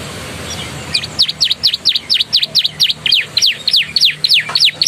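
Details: Canary song filled with Javan tesia and bar-winged prinia phrases: after a quiet start, a brisk series of sharp, high, V-shaped chirps repeats about three times a second over low background hum.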